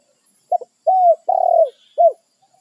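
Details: Wild spotted dove, which holds its own territory, calling to companions: a clipped double note, a level smooth coo, a long rough trembling coo, and a closing short arched coo.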